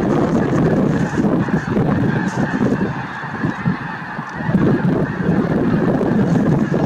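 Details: Snow geese flock at Merced National Wildlife Refuge, 22 January 2023, calling constantly: a thick wall of harsh honks that dips briefly midway, then swells again.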